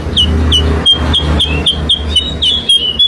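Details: Sooty-headed bulbul lure song: repeated clear, downward-sliding chirps at an irregular quick pace, heard over a strong low hum and broadband background noise.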